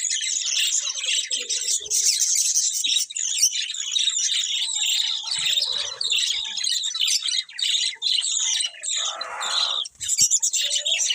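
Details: A flock of colourful pet budgerigars chirps and warbles continuously, overlapping high scratchy notes with short dips in loudness and a brief lower murmur near the end.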